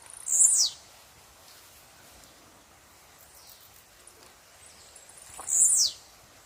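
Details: Wild blue-black grassquit giving two brief, very high, buzzy downslurred notes about five seconds apart, each a quick sharp burst. Faint background hiss fills the quiet gap between them.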